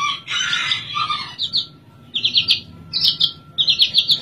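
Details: Java Oriental skylark, caged and perched at ease, opens with a scratchy jumbled chatter, then gives four short clusters of rapid, clipped bright notes separated by brief gaps.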